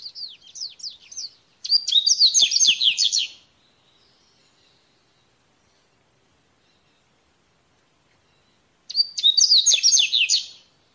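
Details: Coleirinho singing in the wild, a wild-type song: rapid, bright whistled and trilled notes in fast sweeping phrases, one phrase at the start, a louder phrase around two seconds, and another after a long quiet gap.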